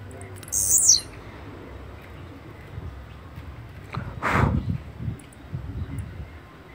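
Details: Blue-black grassquit: one short, high, buzzy descending phrase near the start, followed by a loud thump and low rustling noises.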